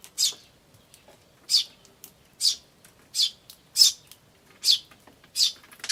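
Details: Eurasian tree sparrows, chicks chirping "chi chi" and adults calling "chun" and buzzy "jyujyujyu", 10 May 2013; seven bright high chirps spaced under a second apart, fairly steady, otherwise quiet.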